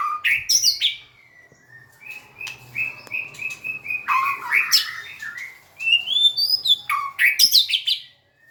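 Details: White-rumped shama singing with tail wagging; high sharp notes, a run of evenly repeated whistles, then loud warbled phrases and clicks with short pauses between.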